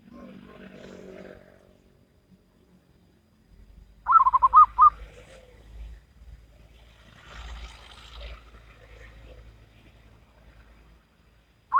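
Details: Local wild zebra dove in Salendro rhythm style: a single brief run of quick, soft rolling coos mid-recording, surrounded by rustling, low thumps and a scratchy noise.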